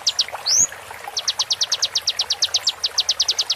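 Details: Konin song used to train songbirds: two clipped notes, a rising swooping whistle, a short pause, then a rapid train of high, even staccato notes.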